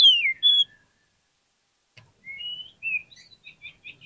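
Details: Kacer, or Oriental magpie-robin, in a lure recording meant to prompt quiet birds to reply: a faint descending whistle and a short note, silence, then soft rising whistles and a string of brief chirps.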